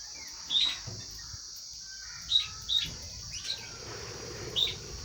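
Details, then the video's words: Lovebirds at their food, giving short piercing chirps every second or so, spaced irregularly, set against a steady high-pitched background buzz. "Love birds sounds"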